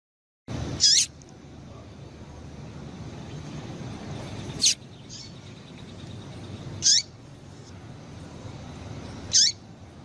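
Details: Female double-collared seedeater calling to stimulate males to sing: four short, sharp, high chips spaced two to three seconds apart over steady background hiss.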